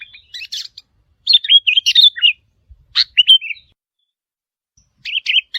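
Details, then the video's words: Sooty-headed bulbul, wild, calling to challenge resident birds: scattered short liquid chirps and warbled phrases in separate bursts, with long quiet gaps between them. "เสียงนกปรอดหัวเขม่า นกแทด นกกระแทดดากเเดง เสียงเร้าใจนกป่า ท้าทายเจ้าถิ่น"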